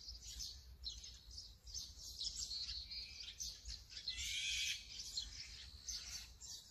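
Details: Brown-eared bulbul, Sony A7M3 recording: a loud, grating screech near four to five seconds stands out above continuous thin chirping of other birds.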